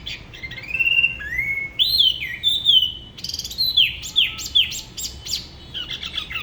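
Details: Spot-throated babbler of the La Ba river, Da Lat, singing solo in an unusual local style: long rising whistles, looping slurred phrases and sharp downslurred notes in varied sequence.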